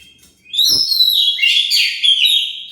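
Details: An Oriental magpie-robin sings one continuous, loud phrase of rich, overlapping whistles and buzzy warbles, used as a lure to make other birds respond. A brief low thump sounds near the start.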